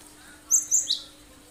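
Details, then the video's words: Cinereous tit giving sharp 'tembakan' song meant to lure other birds into singing: a single short burst of three high, clipped whistled notes, the final one lower, set against a faint constant hum. "Full tembakan tajam bagus buat pancingan burung lain"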